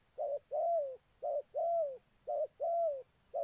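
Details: Decoy spotted dove in Gia Lai, Vietnam, used for trapping: steady alternation of a short coo and a longer, drawn-out falling coo, paired about once a second, with a faint low rumble underneath.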